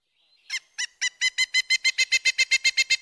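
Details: Pileated Woodpecker call with a more obvious rise and fall in pitch than a flicker's: a fast series of about fourteen loud, ringing notes, starting spaced, then quickening and steadying at roughly four notes per second, with a clean background.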